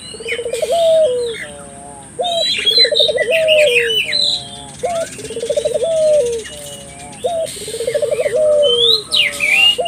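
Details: {'caption': 'Collared dove calling repeatedly to stimulate local doves: rhythmic low coos every couple of seconds, each a short clipped note, quick pulsed roll and sliding tail, over lively chirping of other birds.'}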